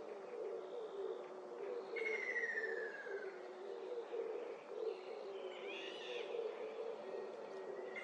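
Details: Ruddy kingfisher calling: one clear whistled note sliding steadily downward for over a second, set against a constant low droning hum, with a few faint higher chirps later on.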